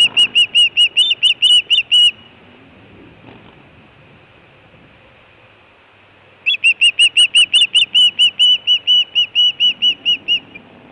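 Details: Osprey at a nest in Montana on 24 June 2017, food calling and alert calling: a fast burst of shrill whistled cheeps for two seconds, several seconds of faint background noise, then a second long burst of similar cheeps.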